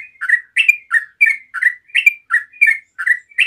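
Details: Close, loud song of a yellow-vented bulbul meant to make other bulbuls answer. Dense warbling couplets, each a rising bright note then a lower throaty one, repeated without pause.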